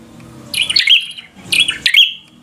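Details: Bar-winged prinia in fighter mode: two short bursts of harsh, high chirping notes about a second apart over a low background hum.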